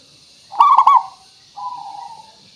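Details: Local zebra dove with a crystal voice, singing to lure other birds into calling back. One sharp, bubbling burst of three quick coos, a short pause, then a smooth, softer descending coo. Constant faint hiss.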